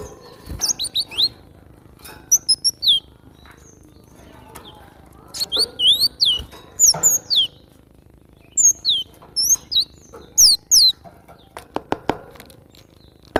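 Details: Training recording of a cinereous tit for cage birds, with clusters of quick, thin descending chirps in uneven bursts, a few faint clicks between phrases, and low background hum.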